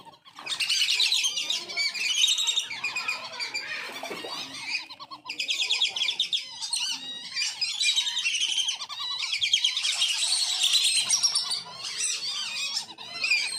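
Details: Wandering whistling ducks recorded at a farm, their calls used to attract wild ducks; long bouts of dense, shrill whistled twittering from many birds, broken by a few short pauses.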